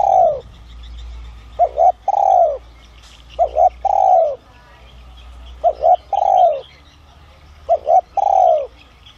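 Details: A spotted dove with a 'son' voice type gives its luring call to bring wild doves in. Four steady phrases repeat roughly every two seconds, each a brisk paired coo then a long, smooth, descending croon. A faint low hum and distant chirps are also heard.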